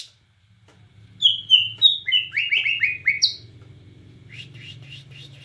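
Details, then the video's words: White-rumped shama of Borneo singing actively in cililin style: a descending cascade of about eight sharp, clear whistled notes, ending in a high note, then softer scratchy twitters over a low background hum. "Murai Batu Borneo Gacor Nembak Cililin"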